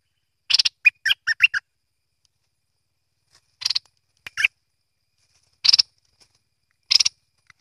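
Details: Merbah lekir or kuning bulbul sounding a rapid cluster of short sharp notes, then sparse single chirps separated by quiet gaps of one to two seconds.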